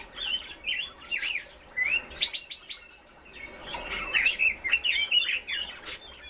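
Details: Red-billed leiothrix (Leiothrix lutea) song: quick, bright, high-pitched, tumbling warbled phrases and chirps, with several birds seeming to sing over one another in bursts.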